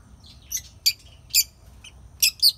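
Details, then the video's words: Lovebirds chirping, a handful of short sharp high chirps and squeaks spaced irregularly, two coming close together near the end, over a faint low hum. "Chirping love birds"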